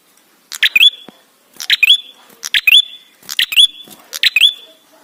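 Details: Lure recording of ashy tailorbird song, meant to get tailorbirds singing quickly. Five fast phrases follow one another about every second. Each has clipped ticking notes followed by an upswept whistle that trails off as a steady high tone.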